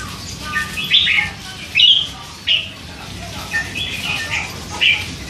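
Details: Young caged red-whiskered bulbul, hand-fed and three months old, giving soft chatter; separate short rising-falling chirps spaced about a second apart, with quiet background noise.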